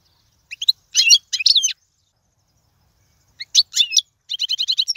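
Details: Goldfinch singing in the 'royal', error-free style used to teach young birds: two separate bursts of bright twittering with a pause of about two seconds, the second ending in a rapid run of even chirps.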